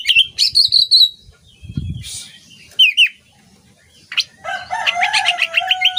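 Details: Oriental magpie-robin song for training songbirds: a varied run of bright, clear whistled phrases, sharp high notes and fast chattering trills, with short pauses and a soft fluttering sound between phrases.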